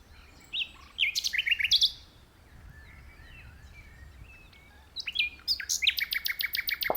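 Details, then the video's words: Common nightingale in a tree, choosing an open perch over dense bushes, sings a phrase of repeated emphatic notes, goes softer with faint twittering, then returns with loud repeated strokes. "Nightingale Singing"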